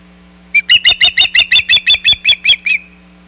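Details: Osprey at its Hog Island nest in July 2020 as a shad is brought. Around a dozen clipped, shrill whistles in one rapid, steady sequence over a faint low hum.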